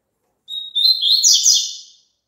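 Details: Song of a double-collared seedeater, meant to be played so caged birds join in: a pure whistled opening note, a slight rise, then a rapid, buzzy, warbled trill lasting about a second and a half.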